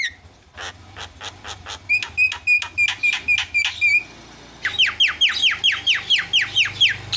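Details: Javan myna calls for luring other mynas into calling: soft clicks lead into repeated flat whistled notes, then a fast, even series of down-slurred chirps about three per second.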